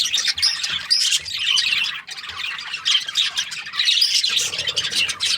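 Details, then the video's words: Bursts of budgie chatter, with Australian budgies trading bright chirps and raspy squawks in dense clusters and a short lull near the middle. "Australian budgies chirping sound"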